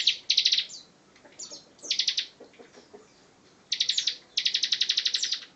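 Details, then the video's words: Bar-winged prinia, 'ciblek gacor ngebren' style: clusters of fast buzzy high pulses, the last a longer trill of about a dozen beats, separated by quiet gaps with faint chips. "Ciblek Gacor Ngebren"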